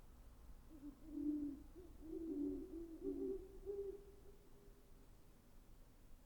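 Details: Great horned owl calling with a slow sequence of low, soft hoots, several running together over about three seconds, then fading into quiet background hum.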